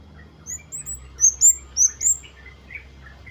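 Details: Flowerpecker, lively ngalas wucit wucit style, used as a lure to prompt other birds to sing: thin, very high, sharp chirps in quick bursts, some slurred upward, about six notes over two seconds, with faint lower chips beneath.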